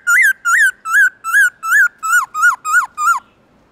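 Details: Black-throated laughingthrush, morning forest-style song (giọng rừng): nine rich, full whistled notes with an arched rise-and-fall shape, delivered rapidly and rhythmically, close to three per second.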